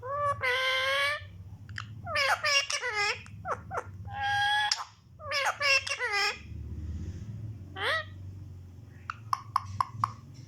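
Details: Pet ringneck parrot talking in Urdu or Hindi: bursts of nasal, voice-like phrases with rising and falling inflection, short pauses between, and a few sharp clicks near the end.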